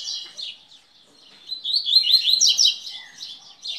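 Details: Coleiro (Double-collared Seedeater) singing a quick series of high, jumbled twittering notes building to a dense chattering phrase, then a short thinner note.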